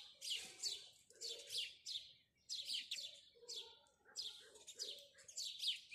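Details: House sparrows chirping in the morning: dense bursts of sharp, high chirps in quick clusters, several birds overlapping, with lower soft notes beneath.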